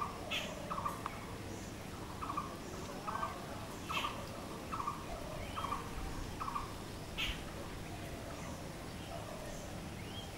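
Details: Blue-throated barbet calling in a regular rhythm of short, hollow notes, with scattered sharp clicks and occasional high chirps from other birds in the background.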